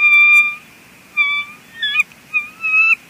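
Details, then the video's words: Bald eagle female calling at her mate on the nest, Two Harbors, 23 May 2020, driving him off: loud, clear whistled squeals, about four separate notes with silent gaps, some ending in a quick chitter. "Two Harbors eagles; Mom talks Dad off the nest."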